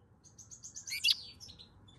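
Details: European goldfinch song, recorded in May 2022: a quick, tinkling run of high twittered notes with one brighter, louder trill near the end; otherwise quiet.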